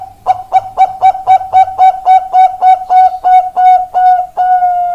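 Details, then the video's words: Zebra dove of the Perkutut Bangkok type, 4 March 2023: a steady series of about sixteen short cooing notes, repeated several times a second, lengthening toward the end into a final drawn-out note; a faint low thumping early on. "Perkutut Bangkok Indo Perkutut"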